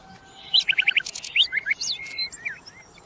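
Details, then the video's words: Common nightingale song, local name sikatan londo: a short group of quick, clipped notes, then scattered rasping and twisting phrases over a light background hiss. "kicauan burung sikatan londo"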